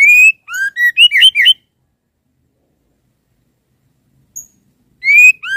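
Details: A female white-rumped shama calls the male with a string of clear whistles: a rising note, a falling slur, then rapid bouncing notes, followed after a long silence by a rising whistle with short notes. No other sounds.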